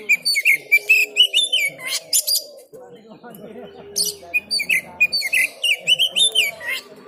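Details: Oriental magpie-robin being trained at a market, pouring out dense rapid whistles and scratchy notes in two bursts, with a steady low droning background.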